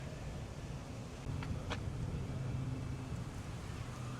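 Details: Low rumbling wind and traffic noise with a couple of brief clicks, and no clear animal voice.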